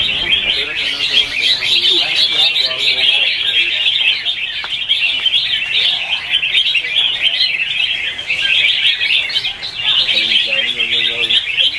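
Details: Morning competitive song of red-whiskered bulbuls, used to train and excite birds to sing: a thick, steady chorus of sharp chirps and warbles, with lower, ringing notes at the start and again near the end.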